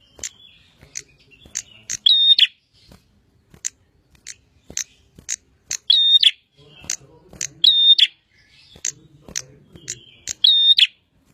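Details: Bar-winged prinia (prenjak) in full song: a steady series of sharp high clicks punctuated by four loud, ringing, harmonic paired notes spaced about two to three seconds apart.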